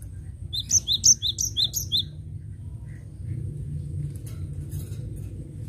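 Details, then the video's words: Cinereous tit 'gacor' song for use as a lure: about five quick, high, ringing double whistles in the first two seconds, then only low hum and slight rustle. "Suara Gelatik Batu Gacor"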